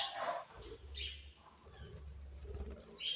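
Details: Budgerigars give a few quiet, scattered chirps, one near the start and another at the end, over a low background rumble with long softer gaps between calls.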